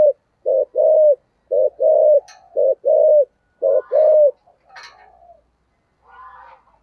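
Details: Spotted dove, voice style giọng thổ sấm, used to lure wild birds into calling; a run of low hollow coos, short and long in turn, followed by fainter scratchy rustling noises.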